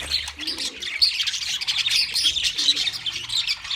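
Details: Wild budgerigars chirping: bright, high twittering and whistled chirps in a dense flock chorus, with soft low cooing notes heard now and then beneath.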